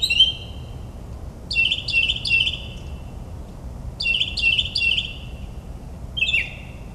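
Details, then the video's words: Northern mockingbird singing at midnight in suburban New Jersey, mimicking other birds: high, bright chirped phrases, each repeated three times in quick succession, with pauses between sets and a steady low background hum. "Moonlit Melodies - Mockingbird's Nocturnal Performance in NJ"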